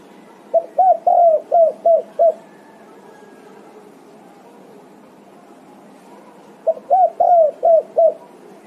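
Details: Spotted dove repeatedly calling its companions and answering them: two phrases of about six low, hollow coos each, the long third note standing out, separated by roughly four seconds of near silence.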